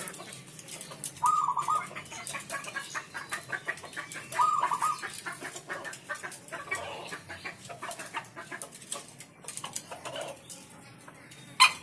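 Zebra dove giving short bursts of soft, stuttering cooing notes, two main phrases a few seconds apart, over a busy background of clicks and rustling.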